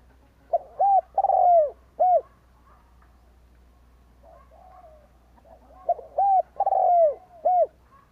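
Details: Spotted dove decoy bird cooing to lure wild doves: two loud phrases of hollow, arched coos around one kilohertz, a short note, a pair, a long falling drawn-out coo, then a final note, separated by a quiet pause.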